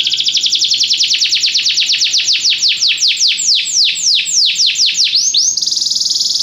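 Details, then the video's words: A Belgian canary sings a training song: a long run of bright descending whistled sweeps repeated quickly and evenly, slowing slightly before two upward slurs and a closing high rapid trill. "canário belga cantando mais espectacular! treinamento canario belga"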